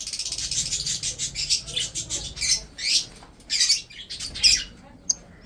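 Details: Budgerigars kept for breeding, chirping while eating food: dense bursts of scratchy, high chirps and chatter, closely packed and overlapping, with short pauses between phrases.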